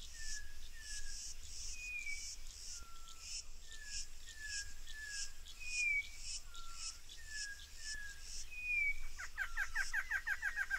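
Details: Orange-backed troupial, locally João-pinto, Corrupião or Sofrê: a long run of clear, slightly falling whistled notes about one per second, then a burst of rapid, bright, chattering notes. Steady insect buzzing and a low rumble continue throughout.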